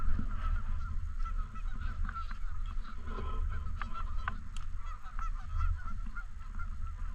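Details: Canada geese around a park lake honk in overlapping bursts, with a brief lull in the middle, accompanied by a few knocking sounds and steady low-frequency wind noise.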